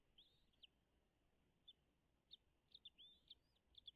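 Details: At a nest on Dale Hollow Lake on the Kentucky-Tennessee border, a wild American bald eagle gives scattered high, thin chirps and short slurred whistles over a quiet background, late morning in 2022.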